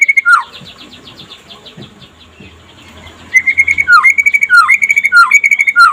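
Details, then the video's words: White-rumped shama (murai pastol) singing by day, a master recording used to lure other shamas into song: a faint varied twittering, then loud whistled notes near one pitch, each ending in a sharp downward flick, repeated about twice a second. "SUARA KICAUAN BURUNG MURAI PASTOL DINLAGI HARI AGAR CEPAT GACOR"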